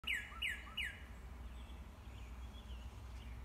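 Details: Northern cardinal singing in the morning: three loud, clear down-slurred whistles in quick succession, each followed by a soft lower note, then faint distant bird notes over a low background rumble.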